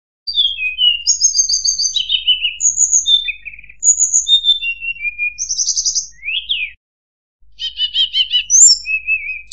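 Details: Sunda robin (tledekan, sulingan gunung) recording used as master material for training White-rumped Shamas for contests: clean, high whistled phrases falling in pitch, with buzzy trills and a rattling series near the end, separated by a brief silent gap.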